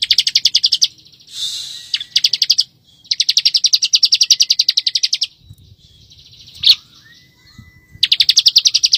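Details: Bar-winged prinia in full, dense ngebren song, used as a master recording for training white-rumped shamas: bursts of rapid, evenly pulsed high notes lasting one to two seconds, split by short pauses, one brief rasping note and one sharp accent.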